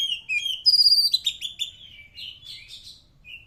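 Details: A white-rumped shama sings: a loud opening of bright whistles and rapid sharp chipping notes, fading into softer warbled phrases and a final short whistle.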